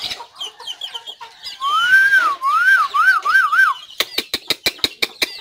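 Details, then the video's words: White-rumped shama song from 17 April 2024: soft twittering notes, then a clear rising whistle that turns into a wavy, rolling warble, ending in a burst of evenly spaced sharp clicks. "noog quaj zoo # นกกางเขนดง"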